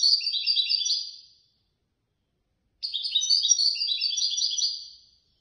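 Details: European goldfinch, a competition bird that won third place in a bird lovers' association contest, singing two bursts of rapid, tinkling twittered song with buzzy trilled notes. Each burst lasts about one and a half to two seconds, with a silent gap between. No other sounds.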